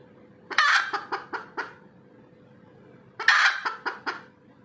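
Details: Red junglefowl after laying an egg utters two short bouts, each a rough squawk followed by three or four quick clucks, separated by nearly two seconds of quiet with a low background hum.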